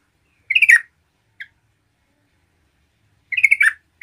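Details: Yellow-vented bulbul singing to provoke other bulbuls: two short, gurgling phrases of tumbling notes separated by a few seconds of quiet, with a single brief chirp between them.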